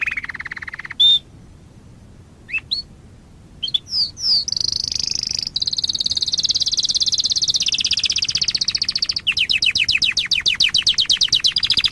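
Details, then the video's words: Canary masteran for young canaries: a low trill, scattered rising whistles and a pause, then a long shimmering high trill breaking into quick repeated down-slurred chirps. "KENARI MASTERAN buat pancigan kenari muda agar nggacor"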